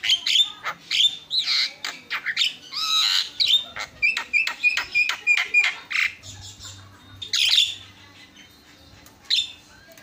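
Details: Javan mynas singing nonstop and answering each other for a masteran (training recording): a quick run of raspy notes and repeated short whistles, easing off midway, with a single loud squawk near the end.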